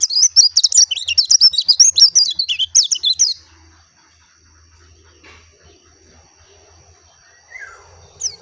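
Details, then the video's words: Oriental white-eye of the dakun type, called pleci locally, delivering about three seconds of rapid, high, twittering warbled notes with quick up-and-down slurs, then falling quiet with only faint background sounds. "SUARA ASLI BURUNG PLECI DAKUN JERNIH"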